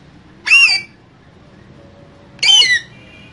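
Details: Pair of caged green parrots: two harsh, ringing squawks about two seconds apart, the second slightly longer and falling, with a faint hum between.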